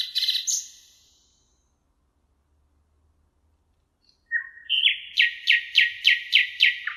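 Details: Thrush nightingale song at the Emajõgi river, Tartu, Estonia, 1 June 2018: a buzzy phrase ends, a pause of silence follows, then a new phrase of rapid, evenly repeated sharp clicking notes, about four per second.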